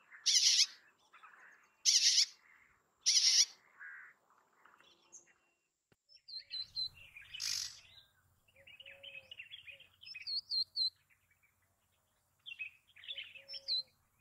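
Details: Bay-backed shrike with three loud harsh rasps about a second apart, followed by quieter varied twittering, thin whistles and chattering phrases. A faint low rumble runs through the second half.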